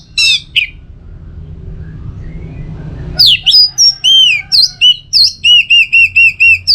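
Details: Anis merah, the orange-headed thrush, in teler song played as tutoring and trigger material: two brief high bursts, a pause, then a rapid loud run of repeated arched whistles, roughly three to four per second.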